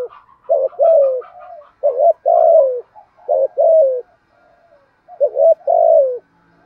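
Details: Urging 'thúc gù' coos of a spotted dove in 'thổ' voice, played to goad newly caught doves into answering. Three phrases, each a quick paired note and then a drawn-out, slurred coo sliding downward.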